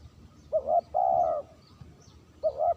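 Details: Spotted dove lure call, clean, with one full phrase: a stuttering two-part coo rising into a long, steady, low-pitched coo. The next phrase starts about two seconds later.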